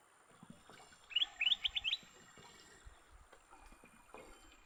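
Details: Leafbirds fighting after being caught: a quick burst of five or six sharp, high chirps, each rising steeply, packed into under a second, followed by low rumbling and scattered faint knocks.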